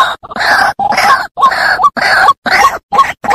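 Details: {'text': 'White-breasted waterhen lure recording: harsh, croaking grunts delivered in steady bursts about two per second, each note rough and broad with a brief squeaky upturn, separated by short silent gaps.'}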